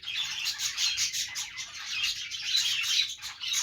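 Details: Budgies, the Australian parrot kept as pets, chatter cheerfully in the morning: busy, high-pitched scratchy warbling from several birds at once, with a couple of clear short whistled notes near the end.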